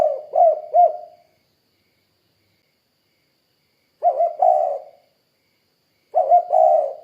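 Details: Three short cooing phrases from a spotted dove, each two to three low, soft hoots, some slightly rolling. The phrases are spaced two to three seconds apart in otherwise silent surroundings.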